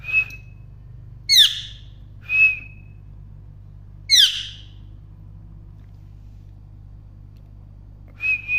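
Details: Chirping parrot giving spaced high notes: sharp downward-sweeping chirps alternate with short level whistles, a few seconds apart, with quiet gaps between.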